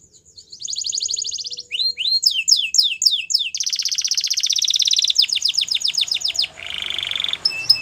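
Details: Belgian canary with white plumage in full song: rapid trills, clusters of swooping downward notes, then a long rolling buzzy trill lower in pitch near the end, all high and bright.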